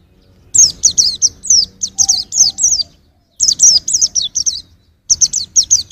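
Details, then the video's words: White-eye singing for songbird training: three bursts of rapid high chirps sliding downward, separated by brief silences, with a faint tonal hum in the first burst. "Kicau Pleci untuk Masteran"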